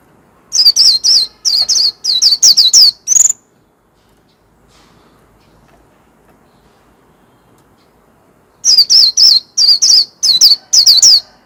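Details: Warbling white-eye in full song, delivering a quick string of high, sharp, down-slurred chirps, falling silent for about five seconds, then resuming with another rapid twittering run.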